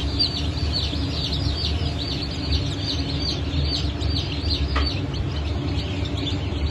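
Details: Brahma, Fizan, Sultan and Appenzeller chickens newly hatched on 9 May 2024. A busy chorus of many high, falling cheeps runs over steady low-pitched hum, with one brief click near the end.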